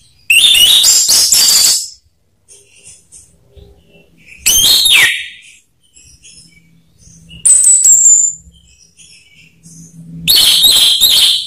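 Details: Orange-headed thrush singing on a lure recording for silent captive birds: four loud phrases a few seconds apart, mixing harsh rapid chatter, a downslurred whistle and a thin high piping note, with quiet gaps between.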